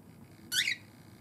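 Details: Pet cockatiel calling a harsh 'ge!' to urge its owner to let it step onto the hand during out-of-cage time; a single short, harsh, buzzy note lasting about a quarter second in a quiet indoor room.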